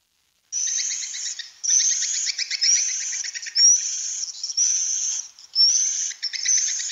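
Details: Swiftlet "birahi" (breeding/mating) sound recorded indoors, in a room: dense, continuous twittering with buzzy rattles and thin high whistles sliding upward every second or so, steady and high-pitched throughout.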